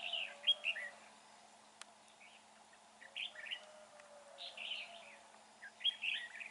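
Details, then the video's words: Red-whiskered bulbul in a fighting trap under gloomy, overcast skies, delivering bright chirpy warbled phrases in bursts about every one to two seconds, with a low steady hum and a single click. "Bẫy Đấu CHÀO MÀO. dưới thời tiết âm u tối đen"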